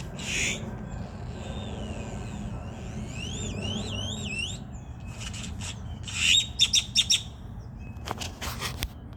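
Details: Grackle at a park in Denton making weird noises: one rasping note, then a run of thin whistled notes sliding up and down in wavy loops, followed by several loud harsh clicks and rasps over low background rumble.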